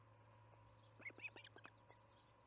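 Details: Osprey at the Charlo nest during evening feeding, July 9, 2019, around 6pm MDT: a quick burst of short, rising, chirping whistles bunched within about a second, over a steady low hum.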